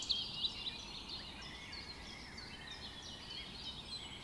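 A Lincoln's Sparrow gives a quick, bubbly jumble of high trills and chips that runs on without pause, over a steady hiss of background noise.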